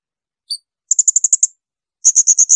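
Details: Blue-crowned hanging parrot shrill burst song for training songbirds: a single short squeak, then a fast run of seven sharp high notes and a second volley of louder, fuller notes.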